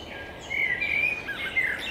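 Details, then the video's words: Common blackbird song, a clear whistled phrase that holds steady, then dips and wavers into a short warbling twist, with constant low background hiss. "Черный дрозд поет песню 4K | Blackbird Singing 4K"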